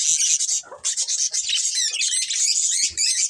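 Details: Colony of budgerigars with a breeding pair, a thick, continuous high warbling chatter with rapid trilled chirps layered over one another.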